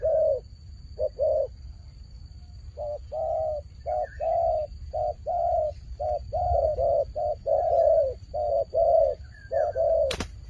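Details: Fighting turtle dove giving repeated throaty coos. A pause follows the opening notes, then an unbroken string of paired purrs ends with a sharp click.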